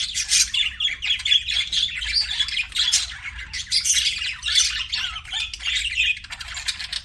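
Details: Pet budgerigars chirping indoors: a dense, continuous chatter of fast warbled notes, chirps and scratchy squawks overlapping from several birds, steady throughout.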